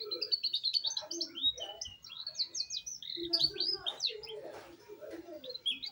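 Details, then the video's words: Canary youngster just learning to roll, pouring out a varied stream of high whistled and chirping notes, some rising, some falling, with quick trilled runs and a few lower warbles, nearly unbroken for six seconds. "knari loper paud mulai ngrol"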